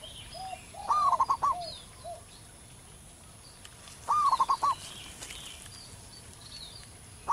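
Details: Wild local zebra dove singing loudly and persistently in the wild: a rising cooing note that breaks into a rapid run of four or five staccato coos, repeated about every three seconds. Softer lower coos and faint higher bird calls in the background.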